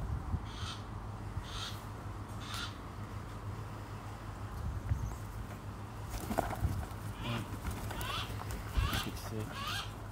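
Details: A captive-bred 2023 female saker falcon (Falco cherrug) weighing 833 g gives harsh, rasping calls, three spaced a second apart, then a quicker burst, over a steady low hum.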